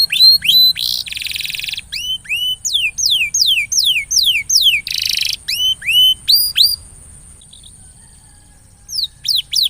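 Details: A canary sings to coax a quiet canary into more frequent song: repeated high, down-curving whistles broken by two dense buzzy trills, then a pause of about two seconds before the notes resume.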